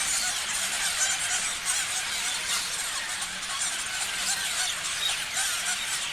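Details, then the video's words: Steady, crowded chirping from many parrots, high squeaky notes blending into a continuous twittering wall, with a faint low hum beneath. "Parrots chirping sounds"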